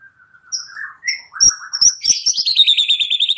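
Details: Lure song of a white-rumped shama, played to draw an answering song: soft rising whistles lead into a fast, evenly repeated high trill.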